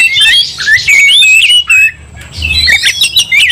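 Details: Combative Oriental magpie-robin giving loud whistled slurs and raspy squawks, a short quieter gap midway, then more buzzy, sweeping notes.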